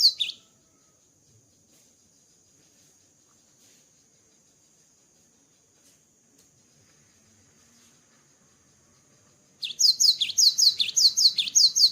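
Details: Cinereous tit after moulting: a brief whistle at the start, a long near-silent stretch with a faint steady high tone, then a closing burst of fast repeated two-note whistled phrases.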